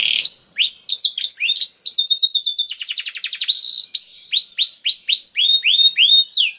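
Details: Canary singing in 'gacor' style with special 'cengkok': buzzy start, a fast chattering trill, then evenly spaced rising whistles, each note sharply repeated.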